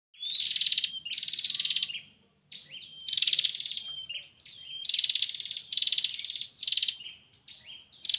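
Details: Female bar-winged prinia calling the male: loud buzzy, rapidly pulsed bursts repeated in a steady series, linked by thin whistled slides, with a short pause near the two-second mark.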